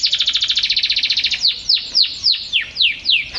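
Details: Canary song meant for training caged birds: a rapid buzzing trill gives way to six loud, slurred, descending whistles spaced about a quarter second apart.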